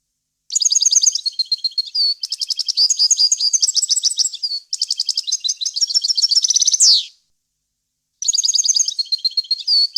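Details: Clean goldfinch song, varied and in wild language, used as a tutor for chicks: long rapid runs of bright twittering and tinkling notes with buzzy trills, a descending slurred note, a brief pause, then another twittering phrase.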